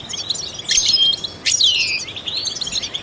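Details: A trained European goldfinch sings to stimulate other songbirds, with liquid twittering broken by clear whistled slides and a sharp, downward-sweeping note midway before the twitter resumes.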